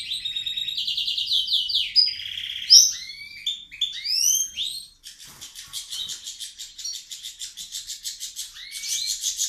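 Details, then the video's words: Singing caged pet bird, loud when its owner enters, defensive and pecking at close approach; quick twittering and swooping whistles give way to a steady rattle of clicking notes. "This crazy bird sings very loud"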